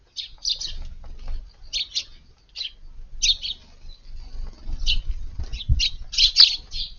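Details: Eurasian tree sparrows at morning feeding in a garden after arriving at dawn on a hot August 19 utter clipped, high chirps in small groups, spaced irregularly, with soft low background noise.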